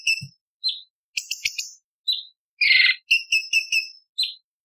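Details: A bulbul in a training recording for songbird contests gives harsh, scratchy, sharp high notes in short bursts, several quick chattering phrases close together, with a few faint clicks between.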